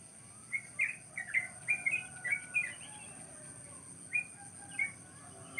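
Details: Wild birds chirping on a cool, pleasant morning in rice fields at the edge of a village in the countryside; short clear chirps in quick runs, then scattered single notes, over a steady high electronic hiss.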